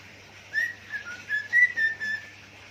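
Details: Pet budgerigar imitating zebra dove and gecko sounds, giving a string of short, clear whistled notes at a fairly even pitch, some dipping slightly, rising and falling in loudness, against quiet background.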